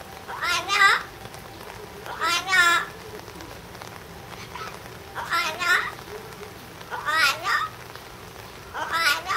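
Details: Yellow-naped amazon at Higashiyama Zoo and Botanical Gardens in July 2011, shouting a loud wavering, human-like 'waaah' about every one and a half seconds, five rough harmonic cries over constant rain-like hiss.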